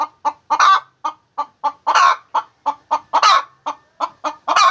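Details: Hen cackling as she lays eggs, short sharp clucks in quick succession punctuated by three drawn-out harsh squawks.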